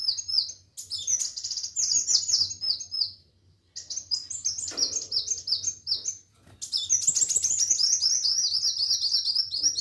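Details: Kolibri wulung or muncang sunbird in lively full song: quick high chirping phrases and sharp trills in dense bursts, broken by two brief silences, the last phrase a long run of repeated notes; faint low hum beneath.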